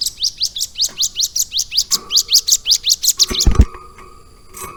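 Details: Prinia known locally as ciblek gunung, caged and tutored on lovebird song, giving a quick string of rising high chirps for three seconds, followed by knocking and rattling cage noises.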